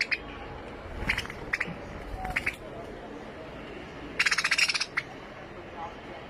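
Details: Finch chirping: several short bright notes spaced irregularly, then a brief rapid buzzing trill near the end, with low-pitched hum underneath.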